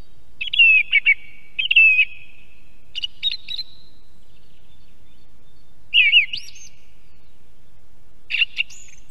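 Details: Song thrush in Estonia, heard from an osprey nest camera: a sequence of clear whistled phrases, the opening motif sung twice in quick succession, then varied notes and a rising flourish, spaced over several seconds in a quiet setting.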